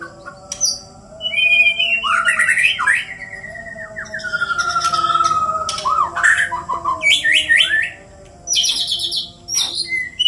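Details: White-rumped shamas from Borneo, Indonesia, in a fight, pouring out varied song: rich slurred whistles, a long steady whistled note, buzzy bursts and sharp high chirps, with short pauses between phrases.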